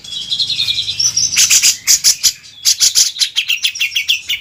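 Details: Cucak jenggot, the grey-cheeked bulbul, sung as a tutor recording for teaching songbirds: a thin whistled opening, then dense, high chattering bursts and quick repeated chirps to the end.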